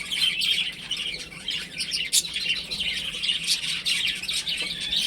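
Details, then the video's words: Baby chickens playing at home, a dense chorus of high, shrill chirps overlapping continuously, with one louder sharp peep near the middle. "Cute Baby Chicken Chirping Sounds"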